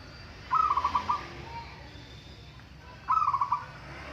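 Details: Local zebra dove singing in a contest, two bursts of rapid staccato cooing trills about two and a half seconds apart, over broad background noise.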